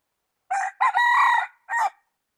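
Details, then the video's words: Loud, clear rooster crow: a short opening burst, a long strained middle note that holds steady then fades, and a clipped final syllable, with silence around it. "qaib dib qua zoo heev gà gáy hay nhất"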